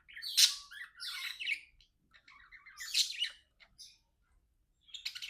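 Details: Two pet budgies chatter while playing, with loud scratchy squawks and chirps in short bursts separated by quiet gaps, and a final burst at the end.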